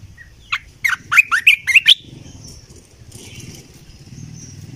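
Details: Red-eyed bulbul used as a decoy bird, giving a quick burst of about six bubbly, warbled notes that rise and fall in under two seconds, then faint thin high notes over a low background hum.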